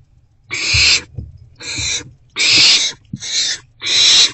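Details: Owl at a nest box in the evening during rodent deliveries. Five rasping, breathy hisses, each about half a second long, repeat at irregular short gaps, with soft thumps between them.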